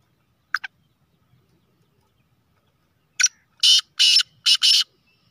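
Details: Black francolin (kala teetar), described as a speeder chakri wala bird: two short clipped notes, a pause, then a loud harsh grating phrase of four rasping syllables, the last two quick and paired, in a quiet background.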